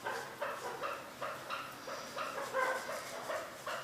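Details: Chukar, Pakistan's national bird, also called chukor, zark or kakaow, giving a steady series of harsh, clucking notes repeated roughly every half second with a rich harmonic ring, over faint background hiss.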